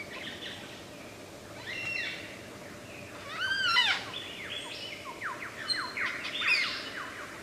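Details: Superb lyrebird mimicking other birds in the wild: scattered whistles, then a bright cluster of arched, ringing notes followed by several quick down-slurred sweeps over a steady hiss of background noise.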